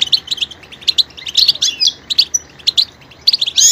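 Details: Lively goldfinch song of quick repeated high chirps and slurred twittering notes, with buzzy accents and varied phrasing throughout.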